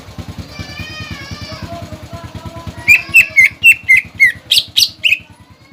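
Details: Greater green leafbird (cucak ijo), a gacor singer used as a pancingan recording to provoke young trotolan and ombyokan birds into singing. A wavering harmonic whistle comes first, then about nine loud, sharp, chirpy whistled notes roughly every third of a second, over a steady low thumping pulse.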